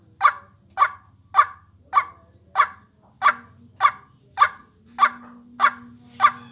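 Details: Lure recording of a white-breasted waterhen used to attract birds: eleven abrupt, rasping call notes at an even pace of roughly one every 0.6 seconds, with a soft steady drone underneath.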